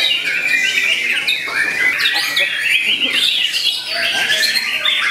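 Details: Young Oriental magpie-robin, about eight to nine months old, a contest bird, singing a dense, continuous stream of varied whistles, rapid trills and sweeping notes, with overlapping chatter from other birds in the background.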